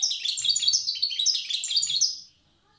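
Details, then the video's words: Goldfinch of the wild Tiaret type in old song style: a dense, unbroken two-second run of sweet, rapid twittering and trills, with faint low background murmuring. "تغريد حسون تيارت( أداء الحسون البري اللغة القديمة)"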